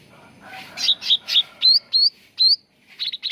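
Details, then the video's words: Cucak ranting bulbul lure recording meant to get birds singing: three harsh buzzy notes lead into three clear upswept whistles, ending with a soft rapid twitter. "SUARA PANCINGAN CUCAK RANTING BAHAN AGAR CEPAT GACOR"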